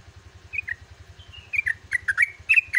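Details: Yellow-vented bulbul singing at dawn in captivity: a thin high whistle slides downward, then a quickening run of liquid, bubbly double notes, with a constant low mechanical hum beneath.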